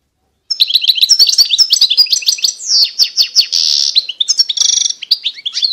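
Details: European goldfinch pouring out continuous song of rippling liquid twitters, rising and falling whistles and a buzzy trilled passage.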